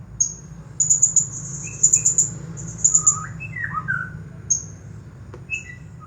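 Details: Champion blue-crowned hanging parrot singing nonstop in the 'nagih hutang' (debt-collecting) style: very high, thin, sharp notes in quick bursts of three or four, with lower squeaky sliding chirps mid-phrase over a faint low hum.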